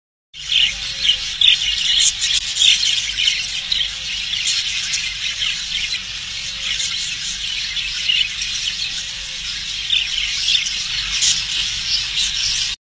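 Budgerigars chatter constantly in a dense, high, squeaky warble with scratchy chirps and squeals.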